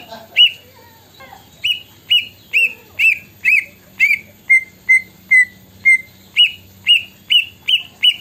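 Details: Green leafbird singing an imitation of the plaintive cuckoo's song: a steady series of clear whistled notes, each sharply rising then falling, repeated about twice a second, with faint low hum behind.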